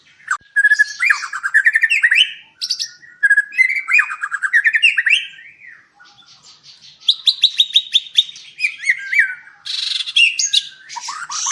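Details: White-rumped shama at a breeding farm in Palembang, singing a varied run of rich whistled phrases, rising sweeps and rapid trills, loud and continuous with short pauses between bursts.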